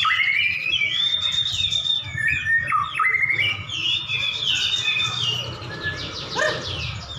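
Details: Two champion white-rumped shamas face off in a duel, singing rich, rapid sequences of looping whistles and downward slides, fading into softer chattering toward the end.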